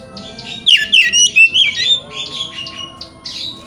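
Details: Oriental magpie-robin song used to get a bird to spread its tail and sing: a loud burst of rich whistled and slurred notes, then softer fainter phrases trailing off.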